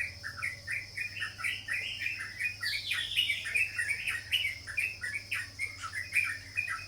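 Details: Sooty-headed bulbul, known locally as cucak jawa or trucuk, giving a steady run of short bubbly chattering notes. A low constant hum runs underneath.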